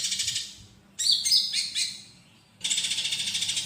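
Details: Tutor recording of olive-backed sunbird song for teaching other cage birds, interspersed with fighting-sparrow material: a high pulsing buzzy trill, then a burst of sharp chirps and whistled twitters, a quiet gap, and the rapid trill again.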